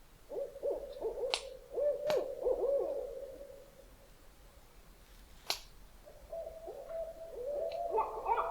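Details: Active barred owls on a lake in Algonquin Park in early spring, heard from camp: distant, low, wavering hoots in two drawn-out bouts, broken by a few sharp camp clicks and snaps.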